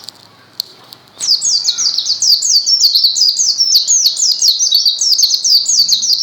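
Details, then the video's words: Quiet at first, then a white-eye bursts into fast gacor song: a steady rush of high, thin, falling chirps repeated several times a second until the end. "SUARA BURUNG PLECI GACOR"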